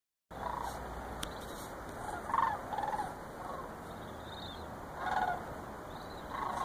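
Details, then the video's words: Several migrating Sandhill Cranes flying and circling over the Chicago area in November 2014 give rolling, rattling bugles in bursts every second or two, over a steady high whine. "Sandhill Cranes Migration"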